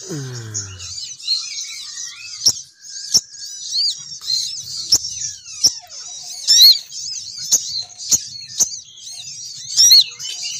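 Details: Female sogon bird call used to lure males, who come down in flocks. Continuous high twittering chatter with squeaky, wavering notes and sharp clicks scattered through it. A brief low falling sound opens the clip.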